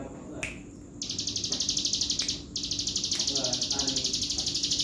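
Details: Bar-winged prinia singing vigorously, pouring out sustained high rattling trills of quick regular pulses that run for seconds at a time, with brief pauses, occasional clicks and a faint background hum.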